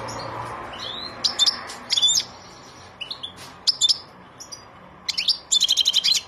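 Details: Song of a European goldfinch: short bright bursts of high twittering notes separated by pauses, ending in a rapid series of about seven clipped, repeated notes. A low background hum is also present.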